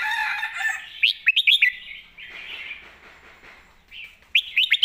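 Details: Red-whiskered bulbul song used as a model for caged birds: loud rapid whistled phrase of four or five bright rising and falling notes, repeated near the end, over a background of other chattering birds.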